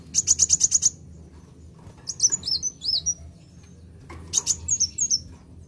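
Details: A Van Hasselt's sunbird gives a quick burst of six high, dry ticking notes, then thin, squeaky phrases sweeping up and down, over a faint low hum. The song is used to provoke other birds.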